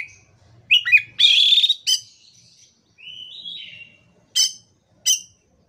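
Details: Oriental magpie-robin (kacer) singing gacor-style, used to rouse non-singing birds: twisting whistles lead into a long harsh buzz, then a smooth gliding whistle and two short sharp ringing notes.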